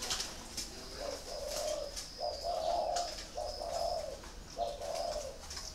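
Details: Spotted doves kept in a cage at a bird farm, giving low rolling coos in four phrases against noisy surroundings with high hissing and scattered clicks.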